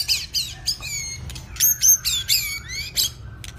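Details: White-rumped shama, a two-season bird practising its song, giving a quick series of sharp harsh notes mixed with short downslurred whistles, repeated several times in under four seconds.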